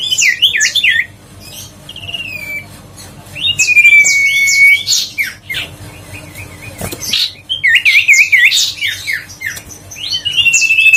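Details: Huyt co bird singing, a recording used to stimulate other huyt co birds and lure them into singing: fast swooping whistled notes around high pitch, with steady buzzy trilled whistles near 4 and 10 seconds, in quick uneven bursts.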